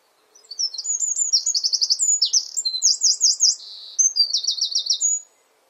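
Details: Full song of a Eurasian wren on a garden perch near its nest: over five seconds of very high, rapid notes, several fast trills and a buzzy rattle, strikingly loud for its length, then silence.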